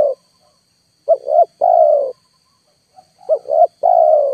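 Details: Spotted dove call used at full strength to lure wild birds that will not descend; two short rising syllables lead into a sustained downward-sliding coo, given twice, plus a faint high steady tone.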